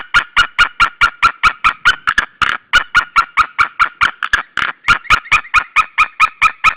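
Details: Two white-tailed eagles, a nesting pair at Saunja, Estonia, calling together on 16 March 2013; a fast continuous series of loud, ringing yelping notes, roughly thirty in under seven seconds, briefly overlapping and uneven near the middle.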